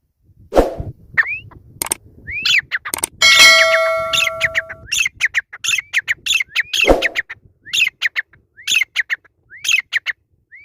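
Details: Grey francolin calling in a series of short, rising whistled notes in quick bursts, broken by sharp clicking noises. A sustained bell-like ringing tone sounds partway through.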